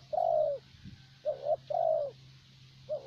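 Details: Spotted dove of the thổ bầu type, a decoy bird used for luring in Vietnam, cooing: a long mellow coo falling at its end, then a clipped double note and another long drawn coo, with a steady low hum behind.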